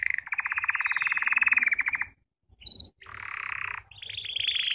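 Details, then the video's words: Belgian canary song for training, with a long low rolling rattle, a short high note after a gap, then further rattled and pulsed trills. "CANTO CANÁRIO BELGA"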